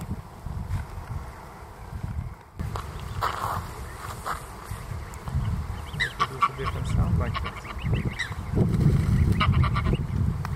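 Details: Young Canada goose x greylag goose hybrid goslings near lake Mälaren, Stockholm area, summer 2020, give short honks and gabbling notes in quick series over a heavy low rumble of wind or handling noise.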